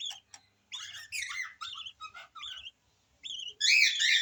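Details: Baby yellow lovebird making rapid, high, scratchy chirps in clustered bursts with short gaps, ending in a louder, harsher squealing run.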